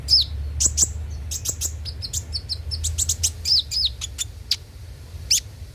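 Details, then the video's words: Konin (kolibri ninja) lure song to make the bird sing daily: a busy stream of high sharp chips and short whistled slurs, some falling in pitch, over a low background hum. "pancingan suara burung KONIN agar rajin bunyi tiap hari"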